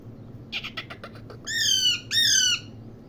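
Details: Parrot (mian mitho) calling indoors: a series of rapid short rough notes, then two loud harsh drawn-out squawks, each about half a second, with a steady low room hum behind.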